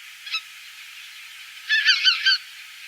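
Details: A flock of Greater White-fronted Geese (Anser albifrons) calls in flight at night during spring migration, picked up by recorders in Davis: a quick cluster of high, yelping, laughing honks after one brief note.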